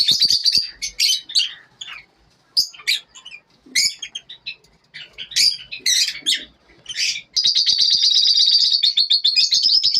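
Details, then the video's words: Morning lovebirds: rapid bursts of shrill, squeaky chirps broken by short gaps, followed by a continuous harsh, buzzing chatter lasting several seconds. "lovebirds morning 🌅 natural sound"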